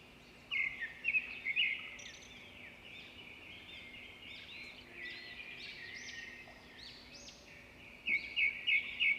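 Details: Birds chirping outdoors: faint overlapping high twittering throughout, with clearer bursts of short repeated chirps near the start and end over a steady background hum.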